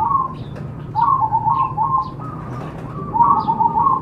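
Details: Zebra dove song meant to stimulate other doves to sing: soft purring coo phrases of rapid pulsed notes, repeated in short bursts about every second, with low background rumble and faint higher chirps.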